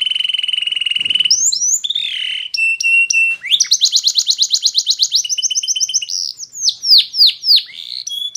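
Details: Canary training song: a long, steady buzzing note, quick slurred phrases and clipped tones, then a rapid pulsed trill, followed by several loud downward swoops and a short high flourish.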